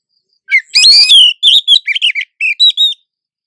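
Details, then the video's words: A wild female Oriental magpie-robin in breeding condition calls to draw a male, calls answered back and forth. A quick, bright series of a dozen varied whistles and chirps, some sliding, within three seconds. "Suara Burung Kacer Betina Birahi Memancing Jantan"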